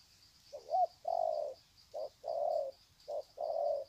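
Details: Spotted doves exchanging greeting coos, long 'sạc gù' sequence, Sê San, 21 February 2020: three low pairs of short lead note plus longer hollow coo, evenly spaced, over a persistent high-pitched hum.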